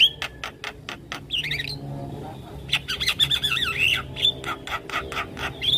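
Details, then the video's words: A dense Javan myna song aimed at drawing quick replies from lure birds: rapid harsh squawks and clicks mixed with wavering warbled whistles and a few pure high notes, over a low background hum. "Jalak kebo Gacor Full isian Bikin Jalak Kebo Pikatan cepat Respon"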